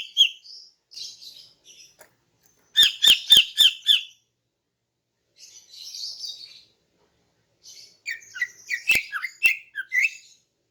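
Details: Female greater green leafbird's morning song, used to entice males: brief high notes, a tight burst of sharp chirps with clicks, soft buzzy trills, then a jumble of varied whistled notes.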